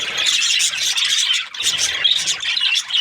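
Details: Australian budgies squealing and chirping in a crowded, harsh-toned chorus, dipping briefly halfway through before resuming.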